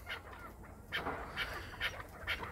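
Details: Owner-kept Chukar partridge in Krasnoyarsk giving a few harsh, clipped notes spaced about half a second apart, with quiet gaps between them and a low background hum.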